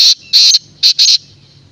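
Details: Black francolin (Francolinus francolinus) giving four loud, harsh, grating notes in a quick uneven burst, high-pitched and rasping, over a quiet low background.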